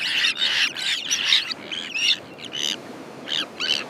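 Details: Common terns calling in their breeding colony: loud, rasping, drawn-out squawks come in uneven bursts, some long and grating, others short and clipped, over a quiet background.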